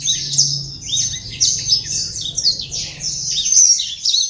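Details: Imported black-throated canary (Crithagra atrogularis) kept for sale in Legian Kelod, Kuta, Bali, singing a fast, continuous high twittering warble of trills and buzzy notes, barely pausing over four seconds.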